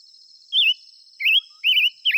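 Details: Five-coloured bird song of short warbling whistles, three wavy undulating phrases and the start of a fourth, separated by brief pauses, with a continuous thin high buzz behind.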